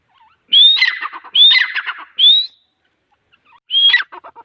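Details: Grey francolin (teeter) giving three quick whistled-then-harsh phrases, a pause of over a second, then one more rising whistle that trails into short clicks.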